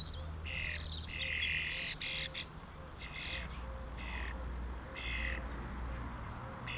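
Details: Common starlings feeding on mealworms in 2016 deliver a run of raspy squawks, several per second at first then spaced out, with a faint repeated tone and low hum in the background.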